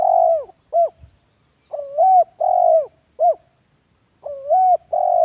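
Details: Spotted dove lure call used as a master recording to train captive doves at home: mellow low coos in groups, a short note then longer drawn-out hoarse coos, with gaps between phrases.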